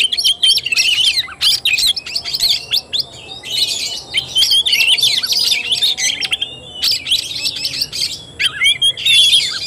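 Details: Oriental magpie-robin delivering tarung, or fighting-style, song on 17 August 2021: bursts of rapid high whistles and scratchy chatter lasting one to two seconds, separated by brief quieter gaps.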